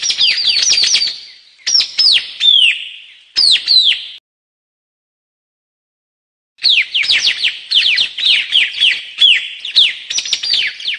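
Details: White-capped tanager song: bursts of loud, sharp, descending whistled notes delivered in rapid clusters, a silent pause of about two seconds, then a longer run of similar shrill downslurred notes repeated quickly.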